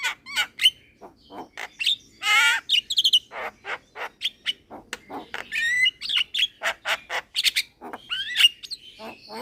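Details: Young Javan myna singing energetically while bobbing its head: a dense run of sharp clicks, harsh broad bursts and whistled notes that rise and twist, packed closely throughout with hardly a pause.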